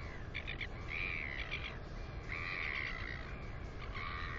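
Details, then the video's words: Wing-exercising northern royal albatross chick, 218 days old, at the nest area in April 2020, giving stuttered clicks followed by drawn-out whistled squeals about half a second long, with wind roaring beneath. "Royal Cam Albatross ~ Cutie Pie Atawhai At The Cam Again! Wingercising & Wheeing Away!"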